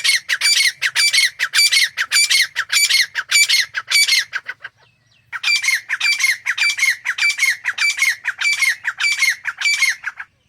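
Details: Wild Grey Francolin pair, male and female, in natural jungle habitat, calling while feeding and exploring; loud harsh squawking notes repeated about twice a second in a steady rhythm, with a brief pause midway before the series resumes.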